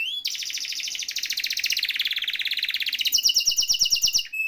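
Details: Canary singing a long, rich rolling trill, meant as a prompt for canaries that have gone quiet; the fast, warbling roll lasts about three seconds before switching to a series of sharp, evenly spaced high clicks.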